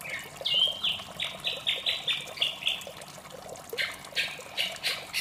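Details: White-rumped shama morning song: a rising whistle followed by a fast run of similar stepped notes, then harsh buzzy bursts, with a steady background of splashing water.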